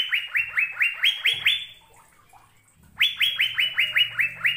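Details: ['Liquid, rising whistles from an Asian fairy-bluebird, recorded to coax caged birds into song: a steady rapid string of similar notes, a brief lull, then the string starts again.']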